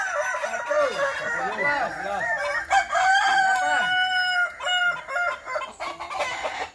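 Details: Many Kukuak Balenggek roosters crow together at a practice contest in Sawah Lunto. The dense, wavering, multi-syllable crows open the stretch, and a long, level drawn-out note carries through the middle.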